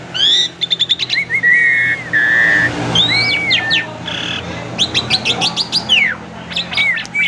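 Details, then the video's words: Asian pied starling, a kept collection bird in full varied song used as a lure for other birds: rapid clicking chirps, drawn whistled slurs, buzzy notes and sweeping downward calls in a continuous, busy stream. "Burung Jalak Suren Super Gacor, Pancingan Jalak Suren, Jalak Suren Bunyi Variasi"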